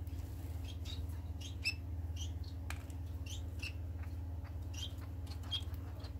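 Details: Society finches, recording dated 25 March 2020, giving a busy run of quick high chirps and short twittering notes at an irregular rhythm, set against a constant low droning hum.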